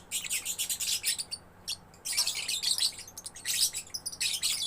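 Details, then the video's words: Energetic song of a young lovebird: fast, shrill chattering bursts and squeaky twitters in quick succession, broken by a short pause, with a low steady hum behind. "Love Bird Gacor anakan"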